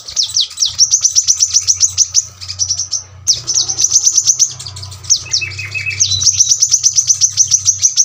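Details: Piercing, tightly packed trills of a brown-throated sunbird, sung in the sharp 'tembakan rapat' manner for tutoring birds at home; falling slurred notes lead into long runs of rapid high chips, over a steady low hum.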